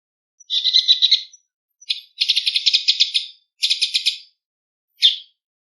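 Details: Wild bull-headed shrike giving noisy autumn ground calls, a seasonal sound of autumn: harsh, rapid chattering bursts of grating notes, each run lasting about a second, separated by short pauses, ending on one sharp note.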